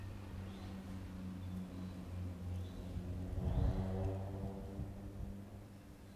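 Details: Low droning engine or motor hum with a louder swell midway, and no animal calls heard.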